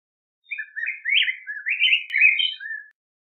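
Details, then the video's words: Yellow grosbeak singing a continuous, mellow warbling phrase of connected rising and falling whistles lasting over two seconds, ending in a low slurred note; a faint click is the only other sound. "Picogrueso Amarillo Canto! Sonido! Cantando! Reclamo! - Yellow Grosbeak Song-Pheucticus Chrysopeplus"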